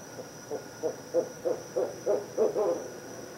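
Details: Barred owl heard at 5:57 pm on December 22, 2011, giving a rapid series of low hollow hoots, roughly three a second, growing louder toward the end, with a steady electrical hum behind.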